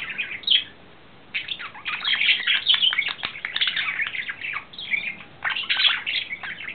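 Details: Male budgerigar in love, courting, April 2009: a short chirp, a moment of near silence, then a lively rush of chattering warbles, clicks and squeaky whistles.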